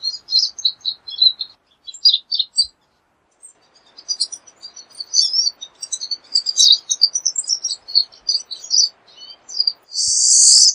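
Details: Pine siskin twittering rapidly in high chirps over a faint low hum, closing with a loud, harsh buzz.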